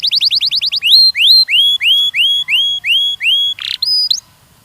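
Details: Canary song used in mating training for young males and females: a fast series of short rising notes, then loud slurred whistles sweeping upward, repeated about every third of a second, with a brief harsh burst near the end.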